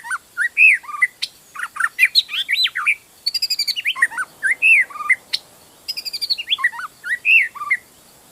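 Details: A wild magpie-robin in the forest pours out a rich, varied song of clear whistles, slurred notes and quick high trills, phrase after phrase with only brief pauses.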